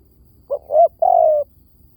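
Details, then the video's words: Single phrase of a spotted dove decoy call: two quick low coos, then a longer, smooth coo that falls slightly in pitch, with quiet surroundings. "เสียงนกเขาใหญ่!! เสียงต่อ! ชัดๆแบบ V18"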